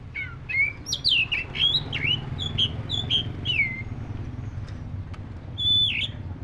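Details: Black-breasted oriental magpie-robin singing a fast burst of twisting whistled notes and downslurs. A short pause follows, then a final high whistle, all over a low hum.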